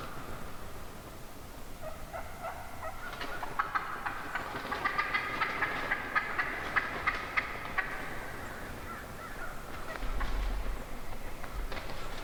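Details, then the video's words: Morning flock of wild turkey hens surrounding the recordist, many birds yelping and clucking at once in a rising, busy chorus of repeated raspy notes, with low rumbling noise near the end. "REAL Hen Turkey Vocalizations"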